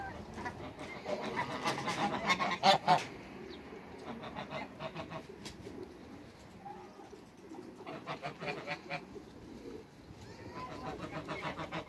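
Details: Backyard Toulouse geese, a group of two males and one female, just out of a crate. Scattered bursts of nasal honking are separated by quieter stretches, with louder clustered calls near the start and again toward the end.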